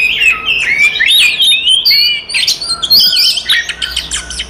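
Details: Oriental magpie-robin fighting song, used to make other magpie-robins aggressive: fluid whistled phrases and bending glides mixed with rasping chirps, with a short dip in loudness near the middle.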